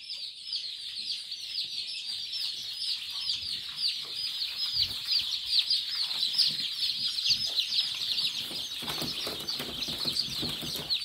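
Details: A dense chorus of high, shrill peeps from many day-old Kadaknath chicks, overlapping without pause, with a few soft low thumps of handling in the background.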